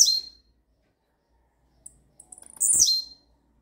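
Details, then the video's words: Rare campainha song of a blue-black grassquit: the tail of one descending buzzy phrase, a pause, a string of quick soft ticks, then another loud downward-sweeping buzz. "TIZIU CANTO RARO CAMPAINHA"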